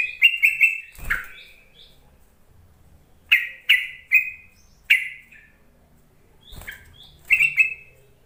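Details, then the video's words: Yellow-vented bulbul calling to lure reluctant bulbuls into song; clusters of short, loud, bubbly notes repeated every second or two, separated by quiet gaps and a couple of sharp clicks. "Suara panggilan trucuk untuk memancing trucukan bahan ombyokan malas bunyi"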